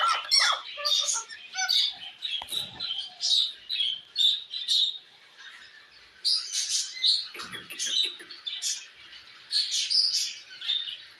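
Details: A parrot calling another parrot with thinner, high chirps and squeaky twitters in short clusters, separated by quieter gaps, softer than harsh squawking.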